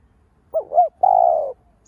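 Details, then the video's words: Single phrase of a lure spotted dove calling to excite other doves: two short rising-and-falling notes and then a long steady coo lasting half a second. "Cu gáy mồi cây gáy gọi thúc ,gù bổi hay. tiếng cu gáy mồi cây kích bổi hiệu quả, cu đất gáy"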